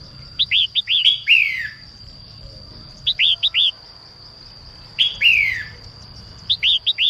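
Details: Female red-whiskered bulbul singing in the morning to stimulate newly caught birds: repeated groups of three or four crisp notes and loud downslurred warbles roughly every two seconds, with a steady high tone behind.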